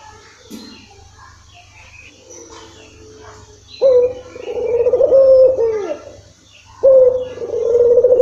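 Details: Barbary dove cooing to bait a bird that rarely calls: faint chirps and clicks at first, then two long, low, wavering coos with falling endings.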